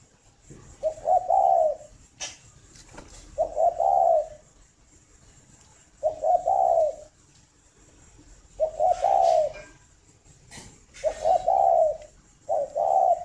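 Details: Captive breeding spotted dove at a bird farm near Hanoi, Vietnam, in the morning, giving low, soft, rolling coos in two-part phrases, repeated about every two to two and a half seconds, with faint clicks between phrases.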